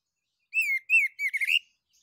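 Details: Orange-headed thrush (anis kembang), ngeplong song used to prompt other birds to sing. One short phrase of three mellow whistled notes, each dipping slightly, runs into a quick warbled flourish.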